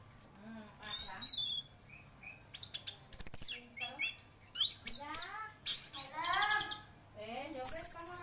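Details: Energetic song of a champion orange-headed thrush: piercing high whistles, fast rich warbles with many descending harmonic sweeps, and repeated loud ringing phrases separated by short pauses.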